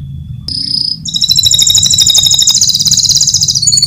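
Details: Champion contest canary singing a master song for training birds: a brief high whistle, then a long rapid buzzing trill of tightly repeated notes, with a low hum in the background.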